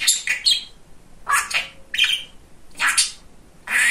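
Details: Talkative male budgerigar kept as a pet gives a few separated harsh, scratchy vocal bursts with a brief whistled tone between, short gaps of quiet in between.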